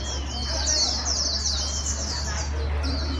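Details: Wild-caught white-eye being stimulated to sing quickly; a rapid, high twittering warble runs continuously with fast rising and falling notes, over a steady low electrical hum.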